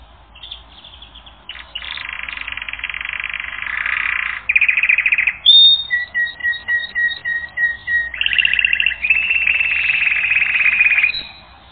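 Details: Canary song from a training recording: buzzy rolling trills, then a run of clear whistled notes repeated in quick succession, followed by another long, rich trill. No other sounds intrude.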